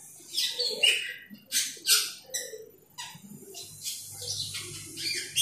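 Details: Asian glossy starling calling out to a rival, giving a series of rasping, scratchy notes and high chirps at irregular intervals, roughly one per second.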